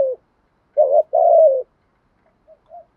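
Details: Spotted dove decoy cooing to lure wild doves: the end of one coo, then a short low note and a longer wavering coo, fading to a couple of faint soft notes.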